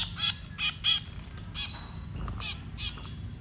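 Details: Baby birds being fed by a parent give short squawky calls with harsh overtones in a few quick bursts, then softer, fainter notes trail off over a low background rumble.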